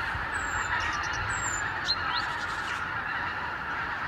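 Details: Overwintering Arctic wild geese by the thousands on the Lower Rhine, returning each morning from sleeping places to meadows; an unbroken wall of massed honking, with sporadic higher squeaks and short rising notes rising above the din.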